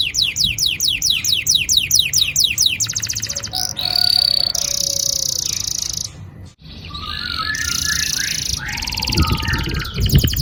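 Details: Long rolling canary song used to stimulate juvenile canaries: opens with a quick run of high sweeping chirps, then turns into dense buzzy, rattling passages with a short gap before resuming.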